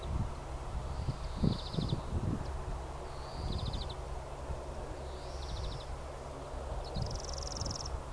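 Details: Greenfinch in full voice on the Eden Course, April 2015, repeating a pattern four times: a long nasal wheeze running straight into a short buzzy trill, with a steady low rumble of wind beneath.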